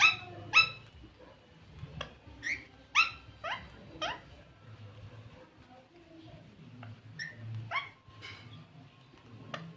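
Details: Green parrot calling indoors: a rapid run of short, rising, bright squawks, several per second at first, then sparser notes, with quiet voices beneath.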